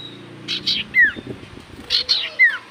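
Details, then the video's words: Common iora in full voice, singing to provoke replies from other ioras: two phrases, each of two short buzzy notes followed by a clear down-slurred whistle, with faint low background sounds. "Burung sirtu cipoh gacor hitungan detik burung cipoh apapun pasti Langsung nyaut"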